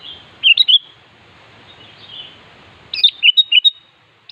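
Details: Sooty-headed bulbul calling a rival, with a short whistled phrase, a pause over soft hiss, then a quicker run of bright, slurred notes.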